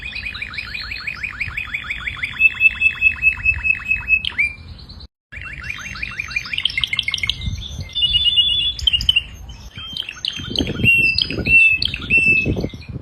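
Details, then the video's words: A singing canary gives a long run of rapid, repeated trilled notes, then steady whistled tones and varied chirps, with a brief pause midway and some low thumping noise. "Singing canary"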